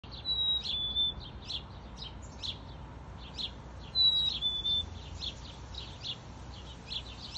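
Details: Male black-capped chickadee singing in a backyard in northwest Calgary, Alberta, just after midday on July 5, 2022: two clear whistled two-note songs, a high note then a slightly lower one, about four seconds apart, amid steady short chirps from other birds.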